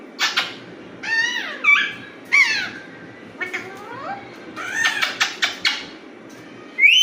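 Alexandrine parakeet giving loud, harsh screeches and sliding whistled notes in irregular bursts, some swooping down and others rising, with a low indoor hum beneath.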